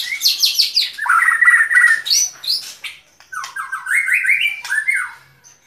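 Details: White-rumped shama song with rapid repeated buzzy notes, a rattling trill, then a series of rising whistled phrases and scratchy high calls.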